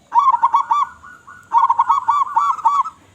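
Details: Local zebra dove, perkutut, calling vigorously to lure others of its kind: two bright, bubbling phrases of quickly repeated coo notes, each about a second long, at a steady medium pitch.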